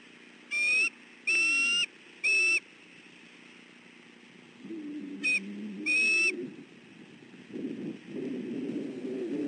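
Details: Bald eagle male defending his nest and family from an approaching intruder, southwest Florida, 28 December 2013; three quick piercing whistles, then a pause, two more cries, and rising rustling noise toward the end.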